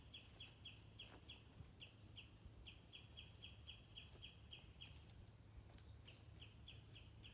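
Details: Common redshank with chicks at Stornäset, Alnö, Sweden, 13 July 2019, alarm-calling loudly at a sparrowhawk that landed nearby: a long, insistent series of sharp, high piping notes, about three a second, over low wind rumble.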